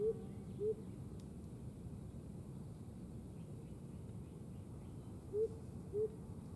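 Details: Blue-capped Motmot (Momotus coeruliceps) singing at Parque Ecológico Chipinque, San Pedro Garza García, Nuevo León, Mexico, on 2023-05-05: soft, low, hollow hoots in a close pair, repeated about five seconds later, over a steady low background rumble.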